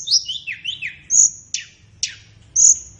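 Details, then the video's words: Short flowerpecker phrase from a masteran set: sweeping slurred whistles rising and falling, a long bright level whistle, two sharp descending strokes and another clear whistle, all thin and high. "Masteran Terbaik Tledekan"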